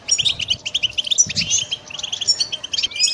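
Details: Pet European goldfinch singing: a fast, bright twittering of short high notes and quick trills, tumbling continuously with brief buzzy and tinkling elements and almost no background noise.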